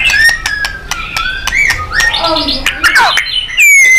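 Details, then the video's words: White-rumped shama (murai batu) in a training recording for contest birds: clear level whistles and chirps, then a buzzy rattling phrase, ending with a loud, long, falling whistle. "Murai GACOR & NEMBAK ...FULL POWER & FIGHTER"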